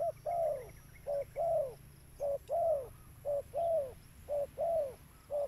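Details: Lure call of a spotted dove: regular pairs of soft low coos, each a clipped short note followed by a longer falling one, roughly one pair per second, over a quiet low hum.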